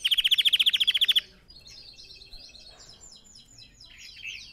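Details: Red factor canary song for training other canaries: a bright rapid trill of about a second, followed by faint softer twittering.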